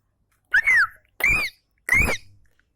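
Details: Javan munia (Lonchura leucogastroides) giving three squeaky, arched calls, each rising then falling, about two-thirds of a second apart, over a faint low hum.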